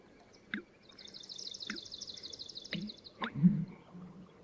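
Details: American Bittern's loud three-syllable "pumperlunk" call, given especially early in the season and carrying up to a couple of kilometres in calm conditions: a deep, hollow, gulping boom, with a Swamp Sparrow's slow, even, high trill behind.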